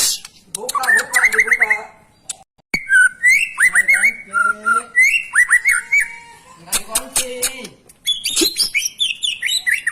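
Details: Energetic gacor singing of a white-rumped shama, meant to teach young or reluctant birds: rapid ladders of rising whistles, then slurred fluty notes and scratchy bursts with sharp clicks.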